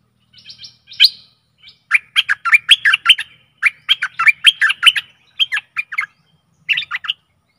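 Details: Stripe-throated bulbul decoy song aimed at aggressive wild birds: a long, rapid, chattering string of liquid warbled notes followed by shorter bubbly phrases.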